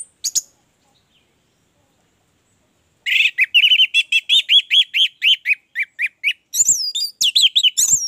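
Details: Orange-headed thrush song meant to prompt caged birds to sing: after a brief high note and silence, a long series of clear whistled notes repeated quickly, ending in very high sweeping whistles.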